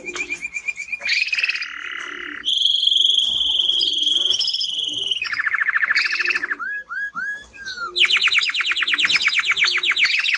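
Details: A male timbrado canary, the finding Belgian canary, sings a loud, continuous run of shifting rolled trills, buzzy rattles and bright whistled notes, changing phrase every second or two.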